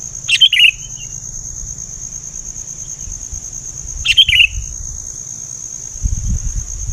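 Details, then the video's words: Sooty-headed bulbul giving two short bubbly call notes about four seconds apart, over a steady high insect-like whine and a low background rumble. "suara bikin ribut#kutilang"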